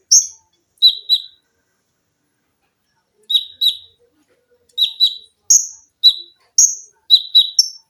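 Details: Lively olive-backed sunbird recorded as a tutor for cage birds, giving sharp high downslurred chips, singly and in quick pairs, with short silent pauses between bursts.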